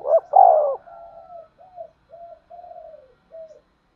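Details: Lure call of a spotted dove for bird trapping: an emphatic two-part coo opens, followed by four or five soft, evenly spaced falling coos that fade out.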